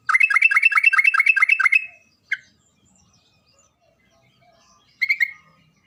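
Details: Sooty-headed bulbul in full song, used as a lure to spur quiet birds: fast series of about twelve rich, chattering bubbly notes lasting nearly two seconds, one lone chirp after a pause, then a short closing burst.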